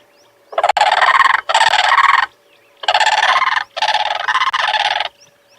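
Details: Two Blue Cranes calling in duet at sunrise on a 13 February 2022 safari, each filling the other's gaps: four long, harsh, rattling croaks, each about a second, in two pairs with brief gaps.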